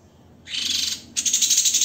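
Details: White-rumped shama 'tembakan' phrase of dense, harsh shots for training songbirds. After brief quiet, a buzzy, rasping burst starts, pauses briefly, then resumes as fast, evenly pulsed grating notes.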